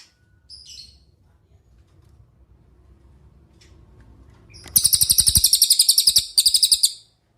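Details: Quiet opening with a couple of faint high chirps, then a cililin delivers a fast, ringing high trill, breaks off briefly and resumes with a shorter burst; a master song for tutoring songbirds.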